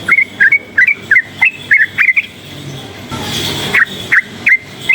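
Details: Yellow-vented bulbul, a forest-type bird, singing actively, excited by loud noise: short bubbly whistled phrases near the same pitch, about three each second, pausing as a broad hiss of noise passes midway.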